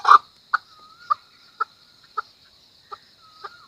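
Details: Chukar giving widely spaced single chuck notes about every half second, the first loudest. Faint thin whistles are drawn out between the notes.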